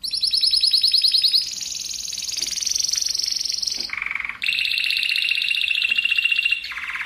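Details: Singing Spanish Timbrado canary, a tutor recording for other canaries: continuous dense rolls that step between high and lower pitches, with a brief low rattle in the middle, unbroken throughout.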